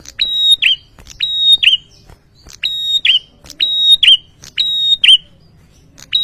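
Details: Agitated ashy tailorbird reacting to a lure: a series of piercing whistled notes with a quick falling twist at the end, given roughly once per second in a steady run.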